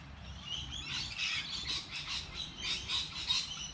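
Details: Light rainy day with birds chirping, a blurred chatter of high tweets coming in pulses roughly every half second, slightly smeared against a soft background wash.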